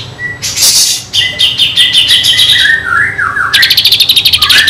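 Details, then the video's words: Kinoi in full song with copied kapas tembak phrases, suitable for training magpie-robins: a harsh high burst, a run of quick sweet chirps, sliding whistled notes dipping and rising, ending in a rapid rattling trill. "kinoi gacor isian kapas tembak"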